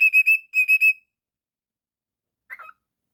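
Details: Pet cockatiel whistling two quick bursts of three bright, even notes each, then a short scratchy chirp after a pause.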